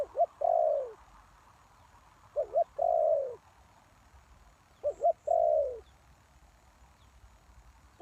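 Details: Spotted dove acting as a decoy for wild doves: three widely spaced phrases about every two and a half seconds, each a quick double note and then a long coo sliding downward.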